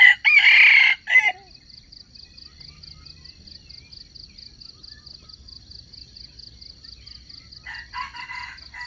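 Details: Red junglefowl crowing as a lure for trapping wild chickens: a loud, rasping crow opens the recording, followed by several seconds of steady pulsing insect trill and the start of another crow near the end.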